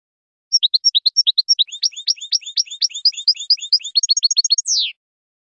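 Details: European goldfinch, described as royal, delivering a faultless song for teaching young birds: scattered high notes building into a dense run of quick downward chirps, a rapid trill, then a long descending sweep.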